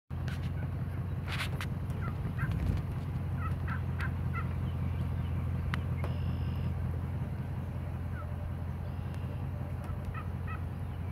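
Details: A young wild turkey flock, possibly third-year, in natural courtship on a homestead where they roost in trees over a pond; a quick rattling gobble, then scattered soft clucks over a steady low rumble of wind or a distant engine.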